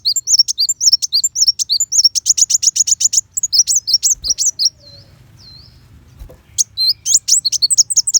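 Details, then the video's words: High, fast sunbird song in sharp shooting bursts, recorded as tutoring material for white-rumped shama: long runs of rapid staccato chirps, a quiet break with a couple of soft notes, then the bright twittering resumes. "Pancingan Kolibri Wulung Full Tembakan Besetan Pedas"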